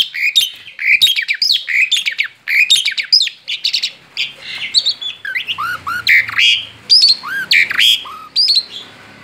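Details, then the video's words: Male Asian pied starling singing outside its cage in continuous ngerol style, a long unbroken run of varied phrases: clear rising and falling whistles mixed with harsh squawks and chattering notes, loud and dense throughout with only brief gaps. "Ngerol di luar sangkar jalak suren jantan gacor"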